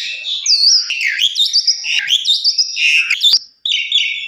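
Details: An Asian pied starling sings indoors on a recording used as a lure to prompt other starlings to sing. It is a fast, continuous run of whistles, slurred warbles and chattering notes, mostly high, with a brief gap near the end.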